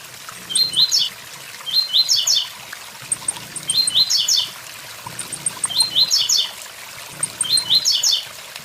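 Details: Blue-black grassquit repeating its 'tui tui zel zel' song near a waterfall, five short high chirping phrases of fast descending notes spaced about two seconds apart, with flowing water throughout.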